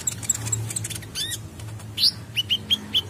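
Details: Gacor kolibri ninja, or Olive-backed sunbird: soft high twittering over a faint hum, then a loud rising note and four clear, high, down-slurred chirps about every quarter second.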